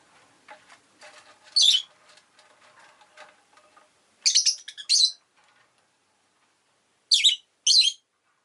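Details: Pet rosy-faced lovebird giving shrill, harsh chirps in short bursts, one near the start, then a pair around four seconds and another pair near the end, over faint lower rustling and soft clicks.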